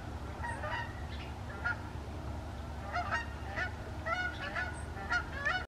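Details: A formation of flying Canada geese honking in bursts, several birds calling over one another with sharp, nasal, repeated honks about every half second, over a low background rumble.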